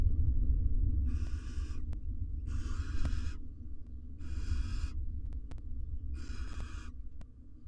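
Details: Wild barn owls, a male and female courting beside their four nestlings in a monitored research nest box; four harsh, hissing screeches, each about half a second long, roughly every 1.5 seconds over a low background hum.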